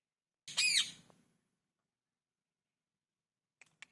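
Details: Parrot natural call: one harsh, down-arching squawk near the start, then silence broken by two faint clicks.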